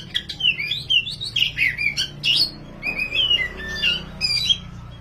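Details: Tutor song of an oriental magpie-robin, dahit/wulung variety, singing energetically: a rapid run of clear sliding whistles, twisting trills and short harsh notes, with a faint constant low hum underneath.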